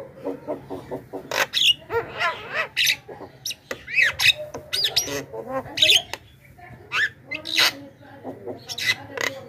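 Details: Javan myna giving loud screams used to lure and call wild mynas: a dense run of harsh, grating squawks interleaved with rising and falling whistles and chattering notes, nearly continuous throughout.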